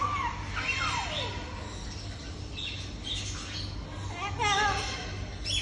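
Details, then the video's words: Amazon parrot talking: speech-like warbles and sliding whistled notes, some falling, with raspy squawky syllables, over a steady low electrical hum. "Amazon parrot toking"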